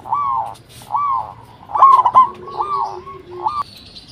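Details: Local zebra dove lure call meant to set other zebra doves calling: a run of arched, evenly spaced coos with a warbled middle note. A faint steady lower hum is heard beneath, then a brief higher tone.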